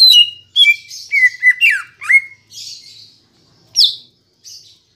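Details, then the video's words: Green leafbird song used as a lure to get kept birds singing: a clean, close series of varied whistled and chattering notes, some sliding downward, with short gaps between bursts and a quiet background. "Pancingan Cucak Ijo Biar Bunyi dan Cepat Gacor"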